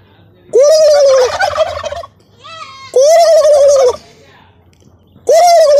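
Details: Three turkeys (one white, two black) on a farm give three loud, rapid, rattling gobbles about two seconds apart, calling together in unison; finding: Turkey.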